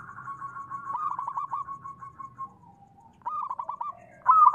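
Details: Local zebra dove cooing to provoke other doves into calling: a long, wavering run of soft stuttered coos fading out, then a crisper burst of repeated notes and a loud trilled phrase at the end.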